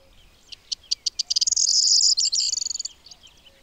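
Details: Corn bunting (Emberiza calandra) singing at Audierne Bay, Finistère, Brittany, France, late April–early May 2022: spaced ticks speeding into a dry, high, glassy two-second jingle, then a trailing stutter.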